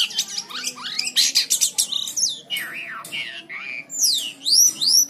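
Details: White-shouldered triller in full song, recorded to teach other birds: quick chips give way to clear looping whistles that swoop down and up, ending in high arched slurs, over a faint low hum.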